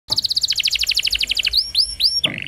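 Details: Canary song used as a training recording for young canaries: a fast run of repeated high notes, then a few rising whistled slurs and a sharp buzzy close.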